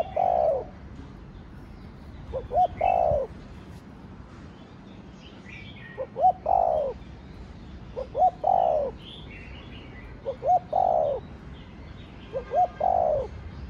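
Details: A cu gáy, or spotted dove, cooing in the thổ đồng style meant to stir other doves. It gives several phrases, each of quick short notes ending in a drawn-out falling coo, with pauses between them and soft bird twitters behind.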